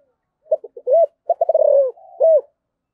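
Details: Spotted dove with a 'thổ'-style voice giving its calling coo: brief clipped opening notes, a steady mid-pitched coo, a fast trilled run falling into a long note, and a final rounded coo.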